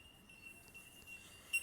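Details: A flock of Bell Miners in Australia, small olive birds feeding on sap-sucking bugs in dying trees, keeps up a steady, pure ringing chorus. One brighter, louder tink stands out near the end over faint rustle.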